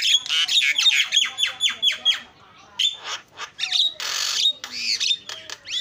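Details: Javan myna, a lively varied song: harsh squawks, bursts of rapid clicking notes, and sharp whistled notes with several rising and falling sweeps. The phrases are broken by short pauses.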